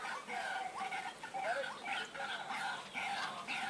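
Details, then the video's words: White-breasted waterhen calls played to lure the birds, from Indonesia: dense, repeated harsh harmonic notes that overlap continuously in a busy, unbroken chorus. "Mikat Ruak Ruak Paling Galak"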